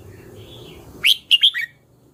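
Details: Red-whiskered bulbul giving a brief phrase of three or four quick, bright whistled notes after a faint thin tone, against a quiet low rumble.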